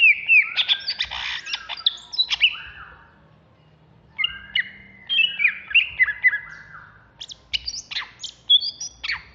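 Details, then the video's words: Agitated contest-ready greater green leafbird of Alas Purwo stock in Jatiasih, Bekasi: harsh squawky chatter mixed with whistles opens, a quiet gap follows, then quick slurred whistles and sharp clicks in an irregular string. "Cucak Hijau Alas Purwo Ngamuk"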